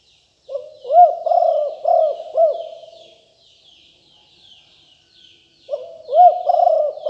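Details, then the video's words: 2021 lure recording of a Liu Tan strain spotted dove for calling in wild doves. A phrase of four deep coos tails off into a long silence before the cooing starts again. "นกเขาใหญ่คับ หลิ่วตันสายพันธุ์ดุ#9 ครบเครื่องเสียงต่อนกเขาใหญ่2564"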